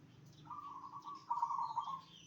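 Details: Rolling, trilled coo of a zebra dove, sung so other zebra doves answer; two joined phrases, the second louder and slightly higher, with faint higher chirps in the background.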